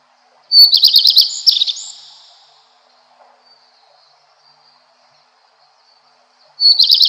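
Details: Two redstart song bursts separated by about four seconds of near silence, each a loud, rapid chatter of high notes, the first ending in a few thin whistles.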